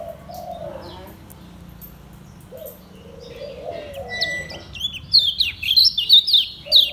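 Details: Lemon-bellied white-eye from Lombok, kept in a cage, singing ngejos selow. Low wavering coo-like notes come first, then about two seconds of loud, high, rapid down-slurred twitters.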